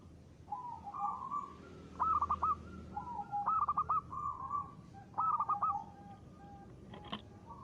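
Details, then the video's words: Local zebra dove in lively ngristal song: three cooed phrases, each soft lead-in notes then a quick burst of rolling notes, followed by a sharp click near the end. "perkutut lokal gacor.suara ngristal ampuh buat pancingan."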